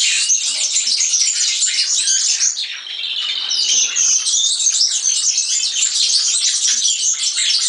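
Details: European serin delivering a rapid, shrill, jangling song of tightly packed squeaky notes, with a brief dip in loudness midway before continuing.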